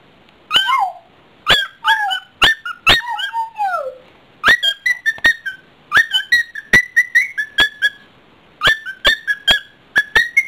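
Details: Captive pet cockatiel fooling around, delivering a long chattering sequence of whistles: sharp clicks and chirps interleaved with sliding notes, some dropping low in long descending glides, repeated in rapid bursts with brief pauses.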